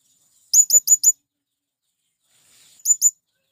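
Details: A male blue-crowned hanging parrot calls to lure wild birds: a run of four high, piercing chirps, a pause, then two more similar chirps, with a faint softer note just before.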